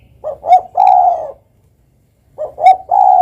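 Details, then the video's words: Spotted dove, known locally as derkuku or tekukur, kept for its song: two soft cooing phrases, each a pair of short rising notes followed by a long drawn-out coo, separated by a pause of about a second. "ikut gacor dengan suara burung derkuku ini"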